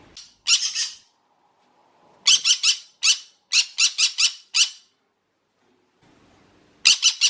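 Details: Pet green-cheeked conure giving its alarm call, used when startled or scared, or by males to get the owner's attention; loud, harsh, screeching squawks in rapid runs of three to four, repeated in several bursts with short silences between.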